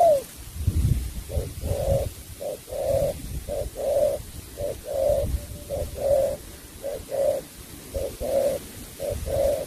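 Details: Spotted dove song in the 'sắm bầu bạch đề' style: steady two-part coos, a brief note followed by a fuller one, repeated roughly every second over low rumbling background noise.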